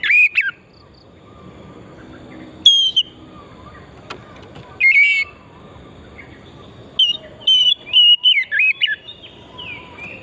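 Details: Oriental magpie-robin from the forest, singing vigorously in a recording meant to stimulate singing: scattered whistled notes with long pauses, ending in a jumbled burst of varied warbling; faint background hum.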